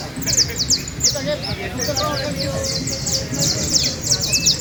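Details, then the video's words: Contest canary in Valledupar, Colombia, singing quick, high, rattling trills of steep downward notes, pausing briefly midway, over constant crowd chatter. "concurso de trino de canario"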